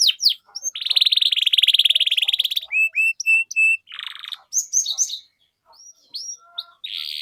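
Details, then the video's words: Canary song meant as a lure for teaching young canaries their sounds: a sustained buzzy trill, short level whistles, a hoarse rasp, then scattered high chirps and brief pauses. "PANCINGAN Kenari GACOR PANJANG Cuit CUIT Ini Ampuh Untuk MASTERAN PAUD Kenari Belajar BUNYI"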